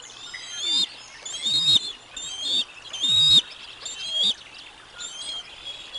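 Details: Eaglets and adult female bald eagle at the Decorah North nest during a lunch delivery, 05 06 2022: high whistled chirps repeated roughly once a second in an uneven series, with faint low bumps accompanying several notes.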